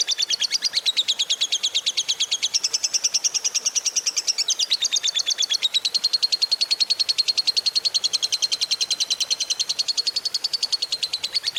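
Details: Fighter-type lovebird giving a long ngekek, used as a lure to get a quiet lovebird singing: a fast, even, buzzy chatter of high pulses, about eight per second, lasting over eleven seconds, its pitch wavering slightly, with faint background hiss.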